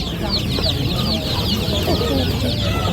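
A group of ducklings peeps steadily, with many thin, high, overlapping cheeps, some rising and some falling, over a low background rumble.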